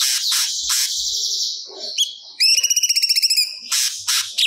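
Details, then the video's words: Cucak cungkok pouring out its learned repertoire as training audio: harsh broad chatter, a brief rising note, then a clear pulsed trill of about a dozen rapid notes, and more harsh bursts. "Burung Cucak Cungkok Gacor Muntahkan Materi Yang Di Simpan"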